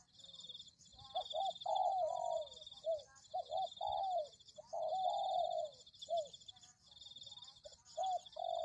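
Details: Luring recording of a spotted dove. The bird gives mellow, arching coos, alternating quick doubled notes with drawn-out falling ones, almost without pause. A shrill, steady hum sounds in the background.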